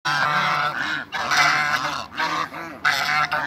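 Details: Seven African geese on a waterbird farm in Greece, met by the visitor: loud, harsh, nasal honks in long overlapping bursts with arching harmonics, several birds calling together almost without pause.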